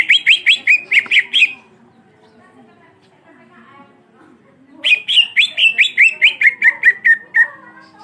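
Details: Black-beaked greater green leafbird singing in a long, rolling style meant to provoke other birds: two bursts of fast, bright chirped notes, each run stepping downward, separated by a quiet gap of about three seconds.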